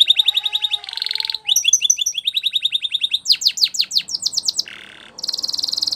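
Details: Spanish Timbrado canary singing a fast, varied song: rapid repeated trills of sharp downslurred notes, buzzy rattling bursts and metallic rolls changing every second or so, loud and clean with no other sounds.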